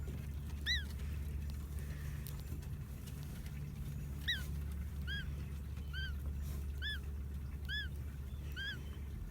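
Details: Unhatched duckling inside its egg, said to be snoring: short arched peeps repeated roughly every second, some in quick pairs, over a steady low hum.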